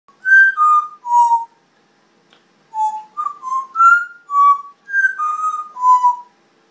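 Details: Pet African grey parrot indoors whistling a tune: clear pure notes in short phrases stepping down in pitch, a pause, then further rising and falling whistled phrases.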